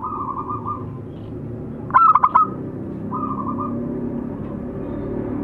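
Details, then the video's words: Singing local zebra doves, male and female. One sharp phrase of four quick coo notes stands out midway, while softer purring coos come before and after over a background hum. "perkutut lokal masteran jantan dan betina manggung"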